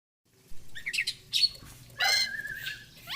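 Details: Oriental magpie-robin in energetic 'gacor fighter' singing style, offered as therapy for magpie-robins that rarely sing: short bursts of high chirps and a rising whistled note, separated by pauses, over a low rumbling background.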